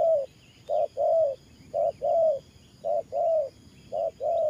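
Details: Spotted dove decoy used for ground trapping, cooing in the 'thổ pha' cooing style: low, mellow two-part coos, a short note followed by a longer hooting one, repeated roughly once a second, with faint chirps of other birds behind.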